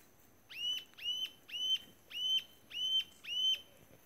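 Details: A Rufous-tailed Jacamar at Mashpi gives six sharp, high, whistled notes, each snapping upward then holding steady, repeated about every half second over faint background hiss.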